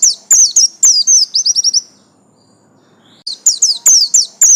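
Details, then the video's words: Yellow-stripe buxtomi white-eye singing: bursts of very high, sharp descending chirps in quick runs, a pause of over a second, then another rapid string of bright tweets. "absen garis kuning pleci buxtomi"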